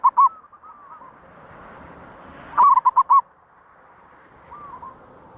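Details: Zebra dove, recorded as a lure for wild doves, gives short series of clipped, bubbling coo notes. A loud run of about five notes stands out among fainter phrases over a soft hissy background.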